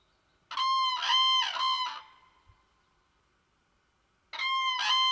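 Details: Common crane at its nest with eggs beside a small forest pond, chicks present: two loud, ringing, trumpeting bursts, each a run of about three harsh rolling notes, separated by a few seconds of quiet.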